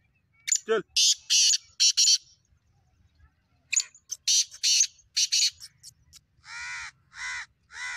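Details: Black francolin (Francolinus francolinus) in breeding-season readiness, excited and calling. It gives harsh, grating, buzzy notes in quick clipped bursts, then several rougher drawn-out notes, with a brief falling whistle early on.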